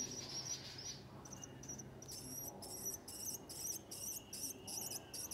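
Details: Willie wagtail babies at the nest during feeding: high, scratchy begging squeaks, softer at first, then coming in regular rapid pulses about every half second, with a faint thin whistle and steady hiss behind.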